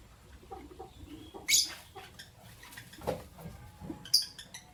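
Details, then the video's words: Lovebirds, albino and Euwing green opaline, in the morning: two sharp, high, shrill chirps about two and a half seconds apart, with soft scuffling and lower knocking sounds between them. "Lovebird Chirping Sound"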